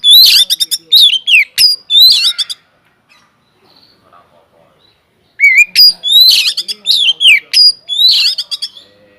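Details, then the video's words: Energetic Oriental magpie-robin song from an aviary, meant to set other birds singing; rapid strings of loud, sweeping, squeaky whistles and rasps, a few seconds of near-silence with faint notes, then another fast, varied burst. "BURUNG KACER GACOR DIDALAM UMBARAN"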